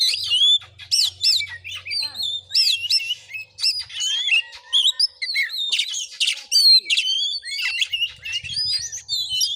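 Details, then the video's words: Kacer, the Oriental magpie-robin, singing in fighting mode during a vocal test in a Bengkulu village, Indonesia: dense rapid medley of bright whistles, upslurred notes and harsh scratchy bursts, nearly unbroken, with a soft low rumble at times. "Kacer tarung|pancingan Kacer gacor|Kacer Konslet"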